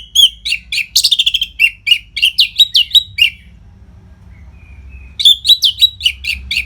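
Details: Orange-headed thrush in full continuous song used as tutor material for fighter birds: fast runs of sharp chirps and slurred whistles, a lull of about two seconds, then another rapid phrase.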